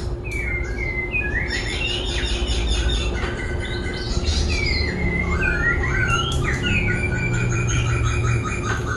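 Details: Laughingthrush singing while dancing, constantly switching voices: varied whistled phrases, rising and falling slurs and quick chirps in changing patterns, over a steady low hum and background noise.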